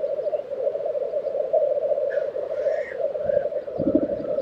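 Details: Black grouse lekking in Tiveden, Sweden, April 2023: a continuous low bubbling, cooing drone with a steady rolling pulse, and faint thin calls from other birds above it near the end.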